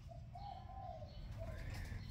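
A spotted dove gives soft, low, hollow coos, a drawn-out phrase followed by a shorter note, over a steady low rumble of background noise.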